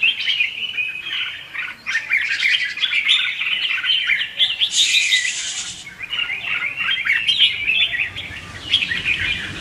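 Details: Red-whiskered bulbul (Pycnonotus jocosus) giving a lively, nearly unbroken run of bright, chattering whistled phrases rising and falling rapidly. It is a competitive song used as a lure for trapping and to train and stimulate other bulbuls to sing.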